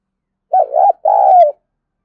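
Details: Spotted dove coo used as a decoy to lure wild doves: a rounded, wavering first note, a short break, then a longer smooth coo that drops slightly at the end, heard alone.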